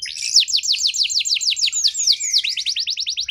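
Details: Canary lure song for reviving a bird in poor form: an unbroken series of rapid, evenly spaced high notes, each sliding steeply downward, about five per second with a slight change midway.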